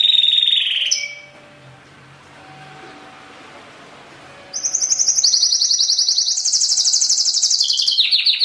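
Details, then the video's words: Pintagol song shown off: a brief high phrase, then several seconds of quiet background hum, then a sustained, very fast high-pitched trill of repeated chipping notes stepping up and down in pitch. "show de canto desse PINTAGOL"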